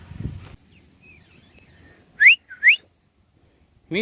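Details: Green ringneck parrot perched on a cow, a hand-tamed bird known for speaking Urdu and Hindi, gives two sharp, quick rising whistles about half a second apart after a near-silent stretch, with a brief low rumble at the start.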